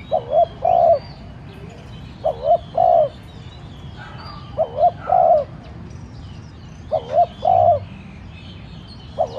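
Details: Spotted dove used as a decoy, calling to stir other doves into cooing; four evenly paced phrases, each a brief wavering coo then a longer drawn-out note, with soft chirping of small birds in the background.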